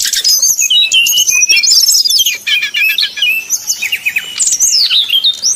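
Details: 'Nyuling' song of a brown-chested jungle flycatcher, used as a lure for rivals: fast bright whistled phrases, a trilled passage, then descending clear notes and a final long downslur.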